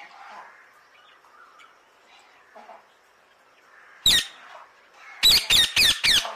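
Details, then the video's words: Alexandrine parakeet with low, soft chattering at first, then a single loud raspy squawk followed shortly by four harsh squawks delivered in a quick, regular run. "Alexandrine Parakeet"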